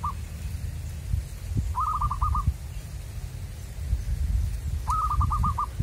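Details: Wild local zebra dove during a trapping outing: two bursts of rapid, stuttering staccato coos, each a quick run of about six clipped notes, over a steady low rumble of background noise.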